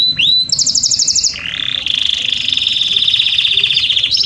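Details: Canary long song for tutoring Belgian canaries: an upward whistle into a fast high rattle, then a long even buzzy trill held for nearly three seconds before a final rising note.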